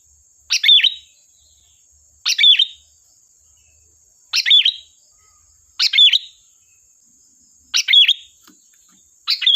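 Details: Sooty-headed bulbul in sharp 'gacor' song meant as a lure: a short, bright, fluty phrase repeated about every two seconds, five to six times, over a constant faint high whine.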